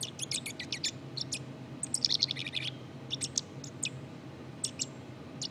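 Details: Rambling black-capped chickadee subsong made of rapid, uneven high chips and tiny twittering notes tumbling over each other, with brief pauses, against a low hum.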